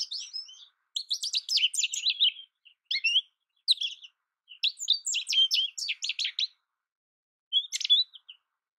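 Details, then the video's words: Song of an American goldfinch: long strings of bright, tumbling twitters and warbles broken by short gaps, ending with a lone brief chirped phrase after a longer silence. "American goldfinch Bird Sound, Bird Song, Bird Call Bird Calling Chirps"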